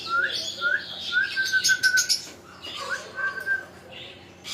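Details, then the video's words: Talking parrot producing a run of clear whistled tones, some held and some rising, mixed with sharp chirps and brief squawky bursts, then quieter sliding whistles, with steady background hum. "Talking arrot"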